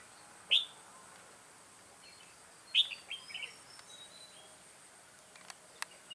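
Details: Decoy red-whiskered bulbul used in trapping, recorded 2 October 2018. Two loud piercing whistled notes about two seconds apart, the second trailed by a brief warbled phrase, then a few faint clicks.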